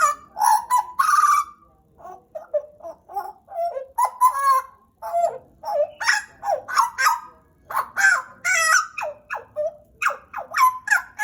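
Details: Loud, continuous song from a pet pied butcherbird of Papua, Indonesia, kept around two years: a steady stream of fluty, gurgling notes mixed with clicks and short upward slides for over ten seconds.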